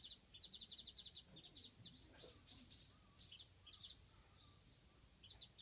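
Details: A warbling white-eye, unseen but calling nearby, gives a rapid series of thin, high chirps, then scattered high twittering notes; faint background noise and a low murmur.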